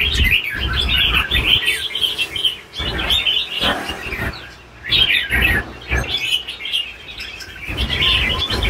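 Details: Red-whiskered bulbul, an old caged bird, pouring out loud chattering warbles in repeated bursts, with thumps and rattling knocks between the phrases.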